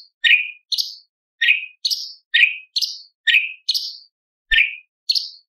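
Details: Light-vented bulbul song, a 'tembakan' style with 'isian' mimicry of lovebird, parakeet, ciblek and pancawarna: short sharp chirped notes sweeping downward, repeated about once a second with brief gaps, clean background.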